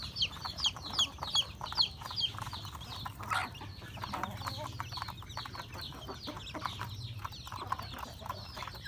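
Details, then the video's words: Home flock of chickens, roosters and hens, at breakfast in a rural yard; a quick run of high falling peeps at the start, then softer clucks and rapid pecking or scratching clicks. "Beautiful sound of chicken eating breakfast, Roosters and Cutest hen"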